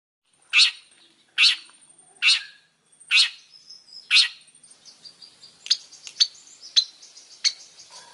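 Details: Long-tailed shrike singing energetically: five loud, harsh, scratchy bursts about one second apart, followed by a quicker run of thin, varied chattering notes and squeaks.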